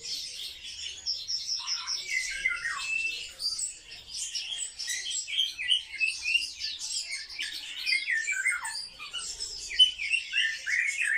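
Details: Sparrows, kept as social birds, chirp rapidly and steadily, about three notes a second, in bright overlapping tweets that often slide downward, with a quiet background.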